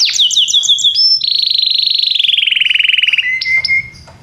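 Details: Belgian canary singing: a quick run of bright descending chips, then a long, rapid, rolling trill that slowly slides lower in pitch, ending in a few sharp whistled notes and a fading buzz. No other sounds.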